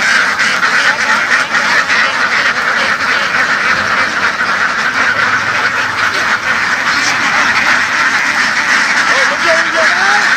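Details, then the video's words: Laying ducks kept on the move across fields in western Vietnam fill the air with a dense roar of raspy quacks, steady throughout, with a few distinct wavering calls emerging near the end. "Duck | Nghề nuôi vịt đẻ chạy đồng của người dân miền tây"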